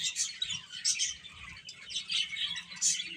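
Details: Chicken chicks peeping together in a busy, high-pitched chatter of short overlapping chirps, with brief louder bursts every second or so.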